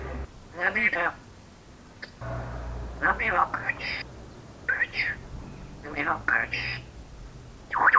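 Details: Janao, a pet African grey parrot, talking in short, speech-like bursts of mimicked words, some squeaky and high, about once a second in a quiet room.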